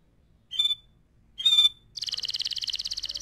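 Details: Canary song recorded as tutoring material for other birds: two short, clear whistled notes, then a fast, even trill of rapidly repeated high notes running to the end.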